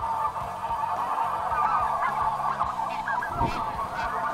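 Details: Flocks of snow geese lifting off a nearby lake on a morning hunt: a steady mass of overlapping honks that turns into some clearer individual yelps near the end. Low musical tones sound faintly beneath.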